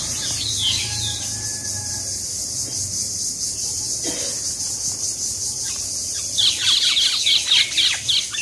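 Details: Common mynas fighting in Keraniganj, Dhaka, Bangladesh, squabbling with harsh, rapid chattering and squeaky notes that grow louder and more frantic toward the end, over a steady high insect-like hiss.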